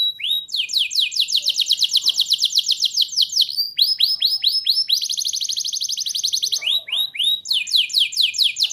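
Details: Canary song used as a lure for young canaries: continuous high, rapid trills alternate with short bursts of looping swept notes, changing tempo every second or two, loud and unbroken throughout.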